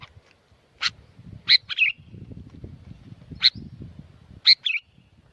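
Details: Sooty-headed bulbul singing energetically in Curug Agung, Subang, West Java, Indonesia. Sharp single chirps alternate with short bubbly two-note phrases ending in a downslurred whistle, repeated every second or two over faint low noise.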